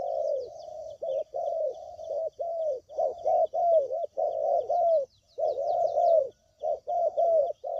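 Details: Lure call of a spotted dove for bird trapping: almost continuous low cooing, overlapping phrases with slight downward slurs, dense and steady, faint high twitters above.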